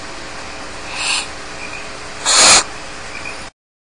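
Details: A faint breathy rasp followed by one loud, harsh hissing screech from Barn owl chicks alone in the nest at Starr Ranch, with faint high squeaks between, then silence.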